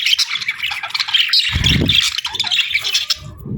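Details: Breeding-season budgerigar pair chattering nonstop: scratchy warbled chirps and squawky notes, with a low thud partway through and softer knocks after.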